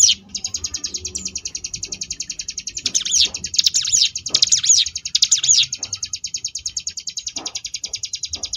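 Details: Ciblek gunung (Sunda bush warbler) performing a ngebrem variation, a continuous fast buzzy trill of high notes, interrupted by a run of loud, looping whistled phrases in the middle.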